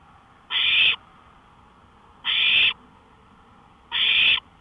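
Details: At night by a porch, 1:53 AM, May 5, 2013, an owl gives rasping, breathy screeches lasting roughly half a second, three of them at an even pace about every 1.7 seconds, with faint steady background hiss.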